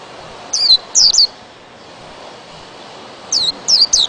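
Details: White-eye giving two short bursts of three high, descending whistled notes, separated by a long pause with faint background hiss.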